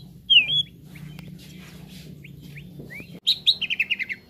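A green leafbird gives a loud slurred whistle and scattered sweet notes, then a fast burst of about seven bright, descending chattering notes.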